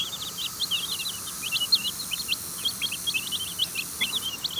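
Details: Young chickens foraging and taking food from a hand in their run, giving a busy flock chorus of short, shrill peeps, many overlapping cheeps each second at a constant pitch, over soft background hiss.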